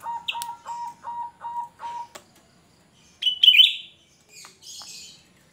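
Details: A black-crested bulbul, used as a lure call, sings six clear, even whistled notes in quick succession, then a shrill, rising burst and softer high chirps.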